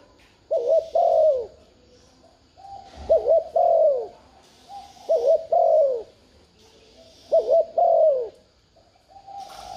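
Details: Spotted dove urging coo used to rouse decoy birds: four evenly spaced mellow phrases, a clipped double note then a descending coo, roughly every two seconds, with a faint murmur in the background.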